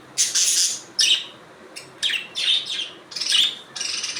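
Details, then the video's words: Budgerigars calling: harsh, buzzy high chirps and screechy notes in separate bursts under a second long, with short quiet gaps between them. "Budgies Natural Sound"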